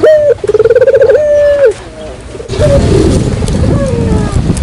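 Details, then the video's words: Barbary dove lure call: a loud, steady, level coo that breaks into a fast pulsed rolling section, then returns to a long held tone and drops away sharply. A noisier coo follows over background rumble. "suara pikat burung puter"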